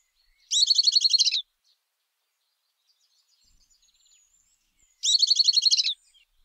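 Southern beardless tyrannulet singing two quick, high, chattering bursts of about a dozen notes each, roughly four seconds apart, with a quiet background.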